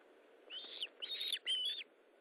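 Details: Osprey calling during a feeding at its nest on 19 July 2012 at 9:43: three high whistled notes, each drawn out and falling slightly at the end, the last one loudest.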